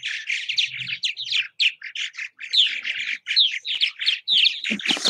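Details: Purple martins at bird houses in Southwest Missouri chatter in an unbroken run of gurgling, throaty chirps and rising squeaks from several birds at once, with a few soft thumps underneath.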